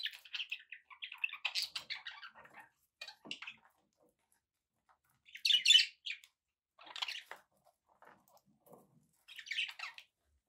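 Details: Several pet budgerigars give rapid, scratchy chirps and squeaky warbles, a dense chattering run at the start, then isolated loud buzzy chirps every couple of seconds with quiet spaces between.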